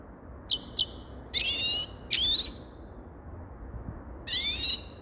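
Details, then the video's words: Sparse calls from a grey-crowned goldfinch: two quick high chips, then a few longer buzzy, nasal notes spaced about a second apart, with silence between them. "Sava Sayrashi Седоголовый Щегол Голоса Птиц"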